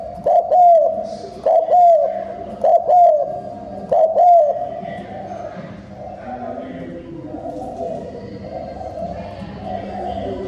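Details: Spotted dove decoy cooing: four strong low coo phrases with falling tails over the first four seconds, then quiet with faint distant cooing.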